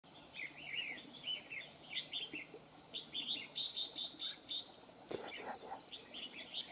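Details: Wild-caught red-whiskered bulbul singing a fast, machine-like running song: bright warbled chirping phrases repeated almost continuously in quick bursts, over a steady high insect hum, with a brief thump near the end.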